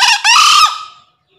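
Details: Male green junglefowl crowing to call a rival, used as a lure sound: a brief harsh opening note, then a longer rasping, buzzy second note that fades out within about a second.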